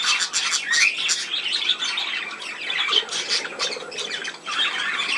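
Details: Budgerigars on 17 November 2024 keep up a harsh squawking chatter, with a few short rising whistled notes picked out among the scratchy calls and a lower buzzy phrase around the three-second mark.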